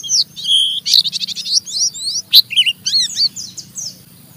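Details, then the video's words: Oriental white-eye chattering roughly to stimulate other white-eyes: a burst of rapid high chirps and trills, a few sharp louder notes, then tapering twitter over faint low hum. "Burung Pleci Ngeriwik Gacor merangsang Pleci Bahan ikut Ngeriwik Sampai Buka paruh"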